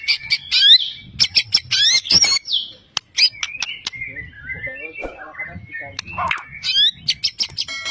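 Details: Medan white-rumped shama, a champion competition songbird with a full repertoire of mimicked birds, delivering dense sharp chips, downslurred whistles and varied twittering phrases with brief pauses.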